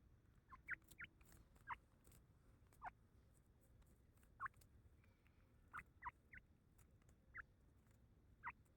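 Grey francolin chick gives about a dozen thin, high, downslurred peeps at irregular intervals, over a steady low rumble.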